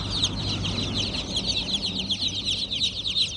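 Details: A flock of baby chickens chirps in an unbroken, high chorus of short, sliding peeps, with a soft low murmur beneath.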